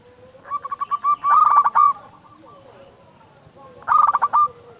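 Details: Local zebra dove in full voice, a lure meant to stir other doves to sing: two bursts of rapid, throaty cooing notes with a stuttering, pulsed rhythm, separated by a pause, over faint background hiss.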